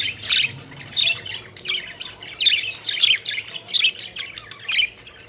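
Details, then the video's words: Pet budgerigars playing and flying, chirping: bursts of high, scratchy chirps and squawks roughly every half second to second, uneven in rhythm, with quieter chatter between. "Budgies Having Fun: Playful Birds Flying and Chirping Joyfully"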